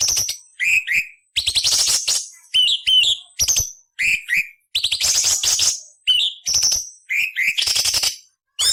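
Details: Cucak cungkok training song with rough, scratchy fills: doubled rising whistle notes alternating with long buzzing, harsh chatters, repeated steadily with brief silences between phrases.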